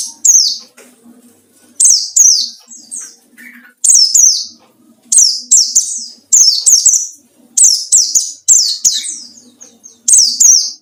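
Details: A white-eye sings to bait rival birds, giving a steady series of shrill, falling chirps, mostly in pairs, roughly every second or two, with a soft low rumble in the background.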